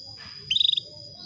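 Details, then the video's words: Female canary call meant to stir a male into breeding: one quick rattling trill of about eight rapid pulses, lasting under half a second, against a constant high-pitched hum. "PANCINGAN KENARI BETINA MEMANGGIL JANTAN"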